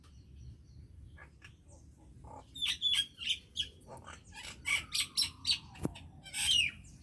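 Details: Common myna in song, starting with scattered faint notes that swell into a fast series of loud, harsh chirps and whistles, ending in a burst of rasping, gurgling syllables.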